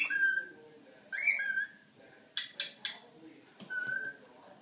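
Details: Cockatiel singing to a Havanese dog: clear whistled notes at the start, again just after one second and near four seconds, with short noisy bursts in between.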